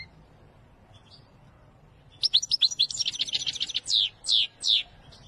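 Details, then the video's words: European goldfinch of the Wedani type: after near silence, an outburst of quick, jangling twitters packed closely together, then three drawn-out, descending slurred notes spaced about half a second apart. "أقوى تغريد الحسون الويداني"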